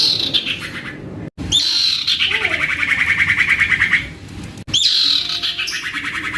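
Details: Juvenile caged common iora singing energetically, used to spur other ioras into song: a long rapid trill sliding down from high to mid pitch over about two seconds, then further bright chattering trills after a short gap.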